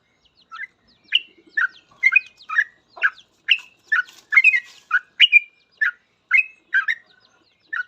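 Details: Sooty-headed bulbul in full ropel song, meant as tutor material so other birds learn ropel quickly. About fifteen lively bubbly chirps come in an even, brisk series with short gaps between them.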